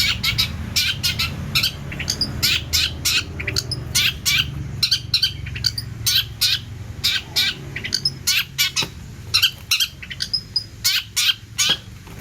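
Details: Long-tailed shrike singing a long, busy stream of harsh squawks and sharp chattering notes delivered in rapid bursts, with a few short whistled notes between them and a low hum behind.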